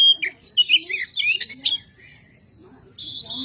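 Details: Kacer, the Oriental magpie-robin, singing a varied lure song to excite rivals: fast warbled whistles and trills in the first half, a quieter stretch with a thin held note, then a strong steady whistle returning near the end.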